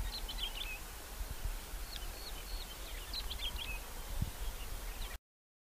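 Crimson-winged finch giving soft, high chirping notes in loose bursts of several per second, faint over a steady low rumble of wind.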